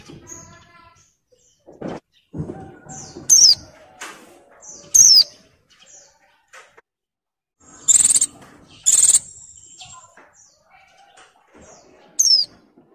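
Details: Breeding-condition female white-eye in molt calling males: scattered thin downslurred whistles and two loud buzzy high bursts over thirteen seconds, mixed with soft chirps, clicks and quiet pauses.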